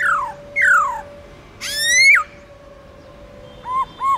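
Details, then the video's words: Forest-style black-throated laughingthrush song, used to get wild-caught birds singing: two steep downslurred whistles, a long upswept note, then two short doubled notes, over a steady low electrical hum. "Khướu Bạc Má Hót Giọng Rừng LUYẾN DÀI HAY"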